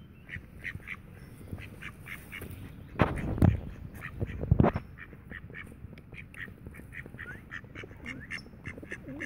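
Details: Tame mallards at the Friedrich Ebert Park in Ludwigshafen am Rhein, Germany, keep up steady, fairly quiet nasal quacking, interrupted by two loud splashing or rustling bursts near the middle.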